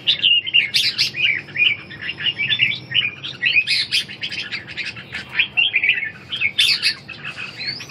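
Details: Red-whiskered bulbul in competitive singing, used to restore a bird that has lost its fire and strength; dense run of loud, warbled, bubbling whistled phrases, rising and falling, one after another with barely a pause.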